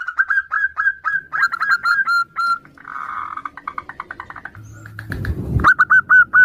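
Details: Local zebra doves, a female calling the male and answering other doves, used as a lure: quick runs of short clear notes, each dipping slightly, mixed with chirpier notes, a brief harsh rustle near the end.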